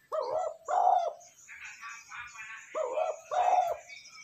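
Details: A spotted dove's coo used as a quick-response lure and for decoy training: two throaty, two-syllable coo phrases, separated by a burst of higher twittering from other birds.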